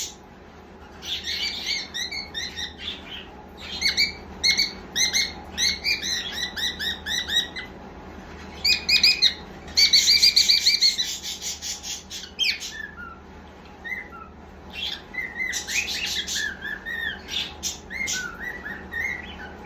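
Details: A pet cockatiel chatters in bursts of bright, harsh chirps and trilled notes, with short pauses between.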